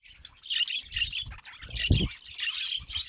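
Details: Budgerigar chattering with bursts of quick, high, scratchy chirps and warbles, broken by brief pauses, with a few low knocks and thumps underneath.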